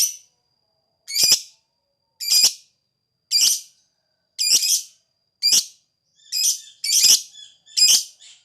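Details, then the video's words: Lovebird sounds played as a prompt to trigger ngekek singing in other lovebirds: harsh, high screechy notes spaced about one second apart, each short and raspy, in an otherwise quiet background. "Lovebird ngetik ngekek bikin LB yang dengar langsung bunyi ngekek"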